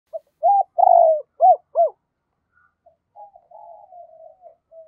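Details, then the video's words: Decoy spotted dove calling to lure and provoke wild doves: a quick run of loud, low arched coos, one drawn out, then softer, longer fading notes after a pause. "Chim Cu Mồi thúc và gáy gọi mở lên kích bổi hiệu quả nhất"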